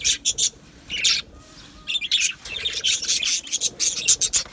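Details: Aviary budgies from Australia, recorded 12 July 2025, trade short, sharp chirps and squawky chatter in separate bursts broken by brief quiet gaps.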